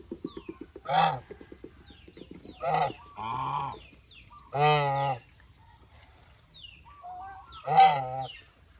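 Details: Lionhead geese, a domestic goose breed, kept on a farm: five loud, nasal, harmonic honks, some long and drawn out, sounding at irregular intervals, with soft clucking and chatter from other fowl in the quieter gaps.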